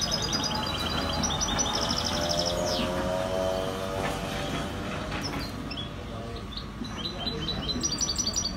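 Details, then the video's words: European goldfinch, locally called maknin, at Skikda, Algeria: bright, high, rapidly repeated harmonic notes in quick series, with a sliding note near three seconds, over a steady low hum and rumbling background noise. "Chant chardonneret"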